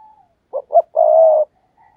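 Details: A single loud phrase from a decoy spotted dove giving lure coos: two brief, punchy notes, then a sustained, even, mellow coo lasting about half a second. Faint cooing trails before and after.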